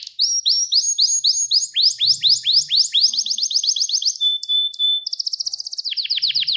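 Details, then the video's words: Gloster canary song played as training to rouse male canaries: long runs of quick rising-falling notes, a sustained pure whistle, then a high buzzy trill and more sweeping notes. "Gloster Kanarya Eğitim Sesi Canlı Görüntü | Gloster Kanarya Ötüşü Erkek Huylandırma Ve Kızıştırma"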